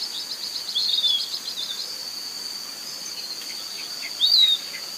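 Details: Piratic Flycatcher recorded in Serro, Minas Gerais, gives two thin, high whistles slurring downward, about three seconds apart, over a steady shrill insect drone.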